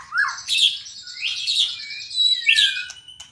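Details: Short burst from a captive white-rumped shama of the albino and blorok mutations. A rising whistle leads into rich, slurred warbles and a long downward-gliding note.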